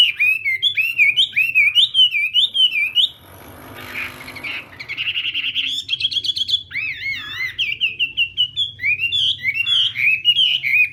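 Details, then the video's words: Chinese hwamei performing its morning training song for singing contests: bursts of fast, fluty, wavering whistles, a brief hissy pause near the middle, then more trilled and looping phrases resuming loudly. "Hoạ Mi Hót Đấu /hoạ mi hót sáng luyện giọng"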